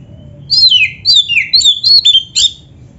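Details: Oriental magpie-robin singing energetically, 'gacor full isian': five or six loud whistled phrases slurring downward, each set apart by short pauses, with no other sounds.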